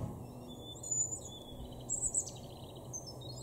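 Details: A great tit sings in a garden in Norden, East Frisia, northwest Germany, in April 2023: thin, high, whistled notes in short repeated phrases, over a steady low rumble of background noise.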